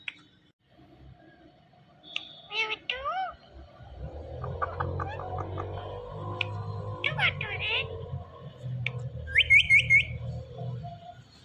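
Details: A talking pet Indian ringneck (rose-ringed parakeet) chatters, mixing sharp whistles, squawks and speech-like phrases, ending in a run of high rising whistled notes; a low background hum persists.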